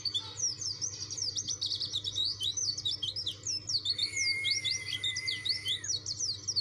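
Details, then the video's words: Busy high-pitched chattering from a dakun white-eye eager for a rival, notes tumbling rapidly, with a sustained level whistle laid beneath the twitter midway through. "PLECI DAKUN NGOTOT CARI LAWAN.!!"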